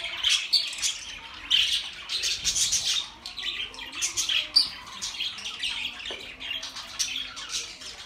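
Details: Budgerigars kept as pets, chirping for lonely birds: lively high chatter with squeaks and whistled notes in irregular bursts, quieter toward the end.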